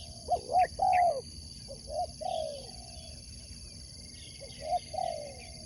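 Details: Spotted dove raised for sport dove competition, giving a loud hooked coo and long falling note early, then quieter repeated coos; brief high twittering from other birds and a steady whining hum throughout.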